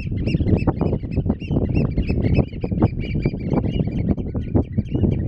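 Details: At Terschelling in the Netherlands, Eurasian oystercatchers on grass and tidal mud call in shrill, arched 'kleep' notes, closely overlapping in an excited chorus, with buffeting wind low in the background.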